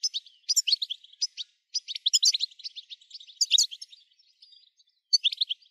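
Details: Goldfinch song used to excite other goldfinches into song, a rapid jumble of high liquid twitters and chattering trills in short bursts separated by brief silences.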